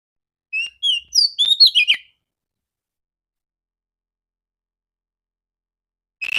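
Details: Oriental magpie-robin female, clear-voiced morning lure for males: a burst of six or seven rapid whistled notes, warbling up and down, then long silence before a single sharp note at the end.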